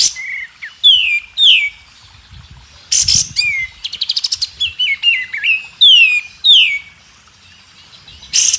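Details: Murai batu song used as contest learning material, mixing flat and sharply falling whistles, a burst of noisy chatter, a quick buzzy trill and wavy whistled phrases, all loud and clear.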